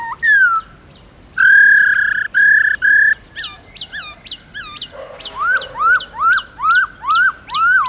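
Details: Wild-voice song of a Black-throated laughingthrush, played to get captive birds singing: a slurred whistle, then long harsh buzzy notes, clusters of quick downslurred chips, and a run of rising whistled notes repeated about twice a second.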